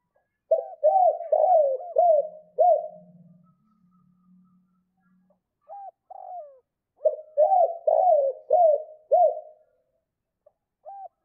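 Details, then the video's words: Spotted dove in the 'cốt' call style used for stimulating other doves: two rapid runs of about five throaty, bouncing coos, separated by soft scattered hoots and a faint low buzzing. "Chim cu gáy 2 cốt và thúc lợi cốt kích bổi"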